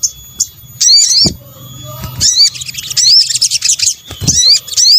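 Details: Sunbird (sogok ontong) lure mix from Indonesia: bursts of sharp, high chirps and quick upswept whistles separated by brief gaps, with low knocks underneath.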